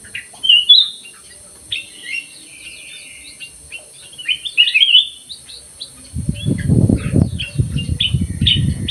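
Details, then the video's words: Black-crested bulbul singing eagerly in an aviary: clear chirps and a burst of rapid warbled notes in the first five seconds, then a low rumbling noise enters while thinner chirps continue. "KUTILANG EMAS GACOR"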